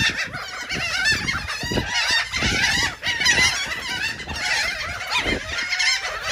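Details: Gulls eating cake at Atlantic City, New Jersey, calling in a noisy crowd: overlapping harsh, wavering squeals and mewing cries, many birds at once, with some low background rumble.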